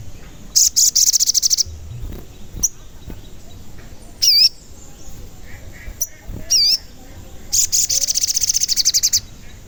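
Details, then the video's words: Sogon, a lively singing bird, used as a lure to make other sogon sing and grow agitated, also for trapping wild birds; call described as 'cuit cuit'. Two bursts of rapid, high, buzzy repeated notes bracket sharp, slurred whistled chirps over quiet background noise. "Pancingan Sogon Agar Bunyi dan Emosi, Sogon Bahan Auto Nyaut"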